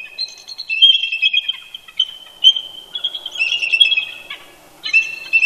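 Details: Two eagles duetting at dawn near their Big Bear Lake nest in California, November 2018: continuous squeaky, chattering chortles with rapid piping notes, the birds communicating with one another, overlapping almost without pause.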